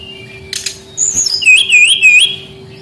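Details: Brown-chested jungle flycatcher song played as a lure for young wild birds that sing little: a short rattle, then a high whistle dropping into a wavy, undulating warble repeated in loops, over a faint constant hum.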